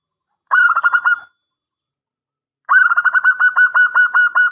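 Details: Local zebra dove with a big voice, singing to lure other doves into replying: a short burst of quick pulsed coos, a two-second silence, then a longer fast rolling run of ringing notes.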